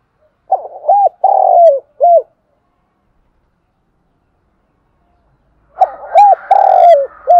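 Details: In the morning, a spotted dove kept as a decoy calls to gather the flock, attracting wild doves. Two low, hollow cooing phrases, each a few short hooked notes around a drawn-out purring coo, with a silent gap between.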